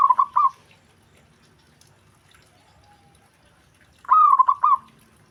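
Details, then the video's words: Zebra dove giving quick, trilled cooing phrases, one at the start and another after a long quiet gap. Each phrase is a rising note broken into rapid stuttering beats. Other zebra doves respond at once. Faint low background hum. "Perkutut Lain Langsung Respon Dengar Perkutut Ini Bunyi"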